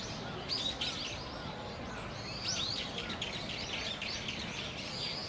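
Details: Little grebe siblings about fifty days old on Ochanomizu Pond at Inokashira Park, November 2018. Short sharp rising squeaks sound in small bursts, with other faint twittering and a noisy background.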